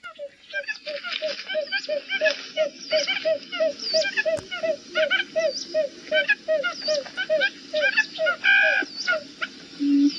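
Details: Buttonquail call used to lure birds, a steady series of short, mellow notes repeated about three times per second, overlaid by higher, sharp chirping notes throughout and a brief louder click near the middle.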